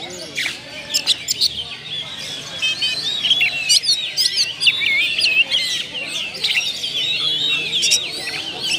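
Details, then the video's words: Oriental magpie-robin song used as a lure to prompt singing: a dense run of varied high whistles, sharp chips and quick slurred phrases, with bright notes standing out throughout. "PANCINGAN SUARA BURUNG KACER ,BONGKAR ISIAN"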